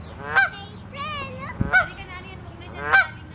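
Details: A mother Canada goose with goslings settling to sleep under her wing, Saskatoon, Saskatchewan, 16 May 2021, gives three loud, harsh honks about every second and a half, with softer wavering, rising-and-falling calls in between.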